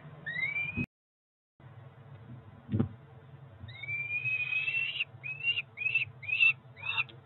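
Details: Peregrine falcon chicks about four weeks old at a Cromer nest in early June 2023, still calling after breakfast. Thin, rising whistled squeals come in a string of short upslurred notes. A few knocks and a low hum sound in the background.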